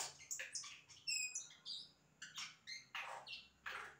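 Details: Yellow-rumped cacique singing imitations of other sounds: a rapid jumble of varied notes, clean whistles, buzzy bursts and harsh noisy blasts, changing every fraction of a second.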